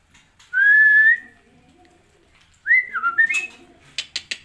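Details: White-rumped shama singing in a breeding cage: one clear whistled note held level for about half a second, a pause, then a quick run of short whistles leaping up and down, followed by a few sharp taps.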